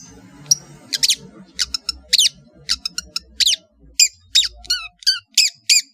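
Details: Long-tailed shrike from Madura, a varied master song for training caged birds: harsh rasping notes and repeated sharp downward chirps with squeaky high whistles, spaced about every half second, with faint low hum underneath.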